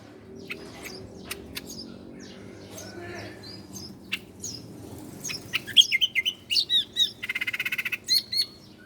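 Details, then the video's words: Bar-winged prinia, a master recording for training cage birds: scattered sharp clicks and thin chirps build into varied quick notes, a brief buzzy rattle, and more bright chirps to finish. "masteran burung ciblek Koya"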